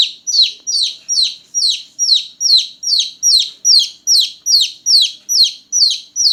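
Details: Loud night-time chirping of small newborn chicks: a steady, fast stream of shrill falling peeps, about two and a half per second, clean and uninterrupted.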